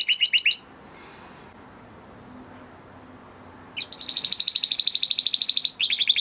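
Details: A crested Spanish Timbrado canary from 2020 breeding, held in a flock, sings a training song. A brief high trill is followed by about three seconds of quiet, then a dense, metallic trill rises and ends abruptly before the next phrase starts.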